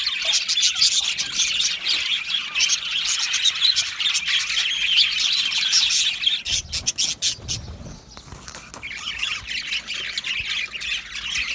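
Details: Australian budgies in an aviary colony, happy singing: busy overlapping warbled chatter and squawks from many birds, a short lull after the middle with softer scattered chirps, then chatter resumes.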